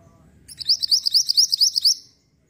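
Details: Lure song of the black-winged flycatcher-shrike, known locally as mantenan, played to make birds answer. It is a run of about ten sharp, rising whistled notes in steady rhythm, ending abruptly, with low background hum.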